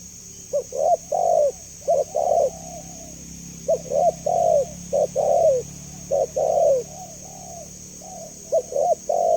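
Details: Spotted dove, clear call used for luring and training other doves: brisk phrases of two quick coos and a longer wavering note, repeated about every two seconds, softer echoing coos between, steady high hiss throughout.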